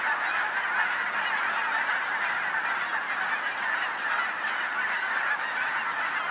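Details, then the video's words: Large flock of geese gathered near homes in Colorado, a dense, unbroken chorus of overlapping nasal honks from many birds at once, steady and loud throughout with no single caller standing out. "Gazzillions of Geese"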